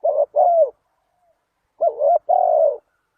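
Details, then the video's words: Two paired phrases from a spotted dove, played to lure wild doves: each a brief quavering coo followed by a fuller drawn-out hoot, separated by about a second of silence. "Chim cu gáy chiêu kích mồi tập bổi nhanh nổi hiệu quả"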